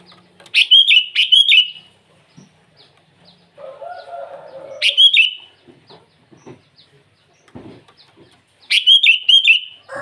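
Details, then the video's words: Repeated morning song of a sooty-headed bulbul calling rivals: three loud, bubbling phrases of four quick warbled whistles roughly every four seconds, separated by a softer lower chattering. "Suara burung kutilang memanggil lawan di pagi hari"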